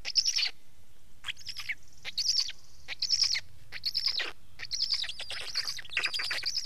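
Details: Black stork giving a series of short, wheezy, rasping bursts, irregular and hoarse, with brief pauses. The pace quickens toward the end.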